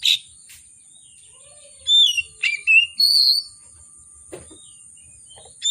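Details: Oriental magpie-robin in vigorous, emotional song with rich varied content, intended to prompt reluctant magpie-robins to sing: a sharp opening note, quiet, then a quick cluster of bright whistles and a sustained high note.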